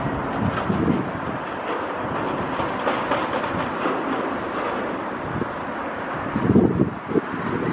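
Rumbling, clattering noise with wind buffeting, and no clear animal call.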